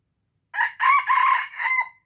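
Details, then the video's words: Aceh red junglefowl giving a full crow: brief first note, two long rasping harmonic-rich bursts, then a closing syllable trailing into a steady thin tone; faint buzzing insects beforehand. "Ayam Hutan Aceh"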